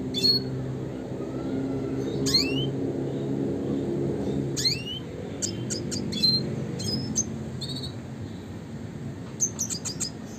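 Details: High rising slurred whistles from a red siskin, classic rolling-and-shooting style kept as a master for songbird training, scattered among quick sharp chirps, with a low rumbling background.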